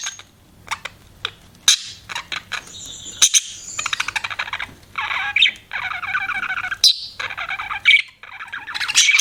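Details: Budgies, kept as pets, give sparse high ticks at first, then a rising stream of rapid, warbling, buzzy chatter with sharp squeaky notes mixed in.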